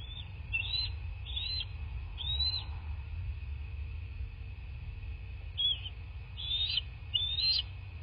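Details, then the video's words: Nest-camera recording of bald eagles at their southwest Florida nest, morning of 03/02/2024 at 10:34. High, squeaky chittering notes repeated in two bursts, each of several rapid piping calls, with low background rumble. "Bald Eagles (Nest Cam)"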